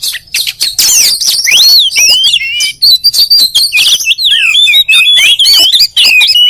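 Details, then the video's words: Kacer (oriental magpie-robin) delivering a dense stream of twisting whistles and piercing high notes mixed with rough, noisy bursts, barely pausing throughout. "THE KACER BIRD IMMEDIATELY WORKS AFTER HEARING THIS VOICE"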